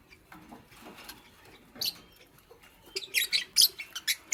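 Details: Fischer's lovebird, green, with a pastel companion, busy building a nest in the morning; soft rustling at first, then a rapid run of shrill, scratchy chirps in the final second and a half.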